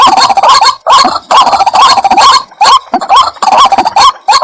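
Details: Repeated rising croaks of a White-breasted waterhen used as a bird lure, delivered in short bursts of several notes separated by brief gaps.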